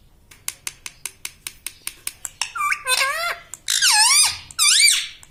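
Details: Talking pet parrot in a room, known for "mitthu mitthu" and "mummy": a steady series of about a dozen dry ticking clicks, then three long, wavering, speech-like harmonic phrases.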